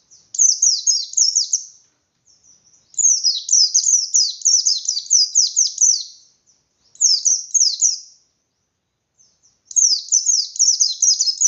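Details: Caged white-eye delivering relentless 'ngalas' song with beak wide open, a provocation for less combative white-eyes: four long bursts of very high, rapid, downslurred notes separated by brief silences.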